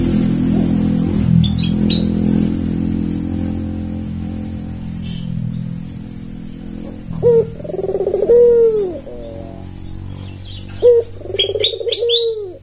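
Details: Tame red-eyed albino Barbary dove, a persistent caller used to lure birds and tutor silent doves. Low humming background fills the first half, then two coos sound, each a clipped note, a rapid rolling trill and a descending drawn coo, with faint chirps.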